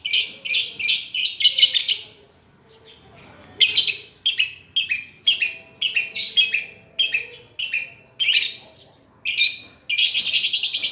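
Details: Master recording of a lovebird singing, aimed at a lovebird that has stopped singing: rapid clusters of shrill ticking chirps, a brief pause, then a long series of sharp, evenly spaced chips ending in dense chatter.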